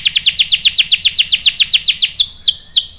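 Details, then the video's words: Canary lure song intended to set off answering males: crisp downslurred notes repeated rapidly and evenly, about five per second, ending in a few slower, sharper sweeps. "PANCINGAN KENARI GACOR bikin EMOSI jadi NYAUT NGEROL TAJAM | CANARY SINGING"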